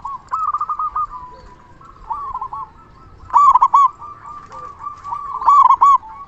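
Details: Local zebra dove singing loudly, a recording meant as a lure to make other zebra doves answer and to stir their breeding mood; stuttering mid-pitched coo phrases with louder, rougher bursts near three and a half and five and a half seconds.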